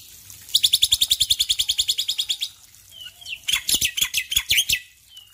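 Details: Male Black-winged Myna singing actively in the morning: a fast run of about twenty bright, even chirps lasting two seconds, a short pause with a thin whistle, then a burst of harsher, louder notes.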